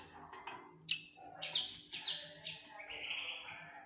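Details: Fledgling common linnet uttering scattered high twittering notes, a few louder chirps clustered in the middle, ending in a softer drawn-out note, with faint low background murmur.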